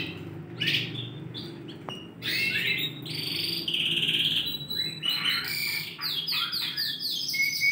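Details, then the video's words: Song of four caged Yorkshire canaries of Romeo FOI colouring in Indonesia, 20 December 2020: scattered chirps build into long buzzy trills and fast rattling series, ending with a high sustained whistle. "4 Ekor KENARI YORKSHIRE warna ROMEO FOI GACOR"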